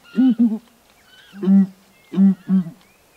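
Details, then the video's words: Paired low booming notes from Southern ground hornbills duetting on a branch in Kruger National Park, each pair followed by a short silence. Thin, faint whistles from other birds sound behind them. "Southern Ground Hornbill's Song"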